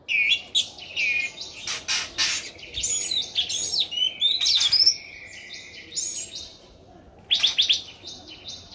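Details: Busy song of an orange-headed thrush, singing gacor: varied whistles, chattering notes and buzzy bursts run together, then a pause before a final loud phrase.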